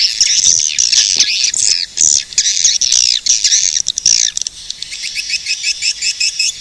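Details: Many swiftlets twittering together in a steady stream of high, rasping chirps and squeaky trills, with short breaks near the middle and toward the end.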